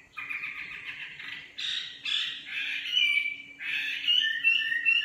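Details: Nightingale singing a varied, rich phrase of buzzy and whistled notes that rise and fall, ending in bright repeated whistles, over a steady low hum.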